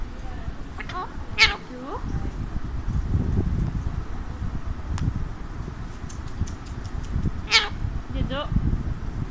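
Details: Pet Alexandrine parakeet perched on its owner's hand, described as talking; two sharp, harsh squawks with bright stacked harmonics stand out about six seconds apart, with softer chatter and a steady low rumble underneath.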